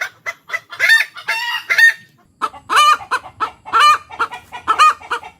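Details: Indonesian village chicken hen calling 'tok tok petok', typically after laying or on finding something odd, with other hens answering; a rapid run of loud, harsh clucks, the drawn-out arched notes recurring about once a second.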